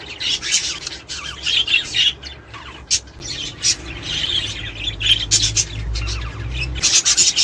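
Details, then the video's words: Budgerigar chatter meant to encourage pairing, breeding and laying; continuous scratchy warbling mixed with sharp high chirps and squawks, loudness rising and falling, over a low background hum. "تحفيز طيور البادجي الأسترالي علي التزاوج والانتاج والتكاثر والبيض"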